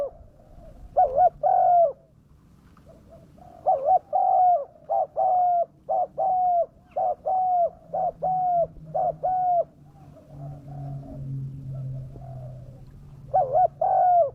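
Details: Spotted dove calling to attract wild doves: long series of low double hoots in quick succession, a brief pause in the middle with a louder low rumble, then more paired coos at the end.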